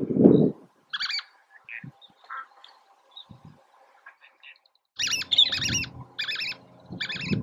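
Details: Least tern recorded at Oso Flaco on May 31, 2019: short, harsh, stacked chirping calls, a brief pair near the start and a rapid cluster of repeated notes in the last two and a half seconds, with low thumping noise and faint other sounds.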